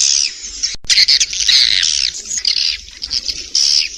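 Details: Several swiftlets inside a productive swiftlet house, dense overlapping harsh squawks and twitters, with a sharp click near the start.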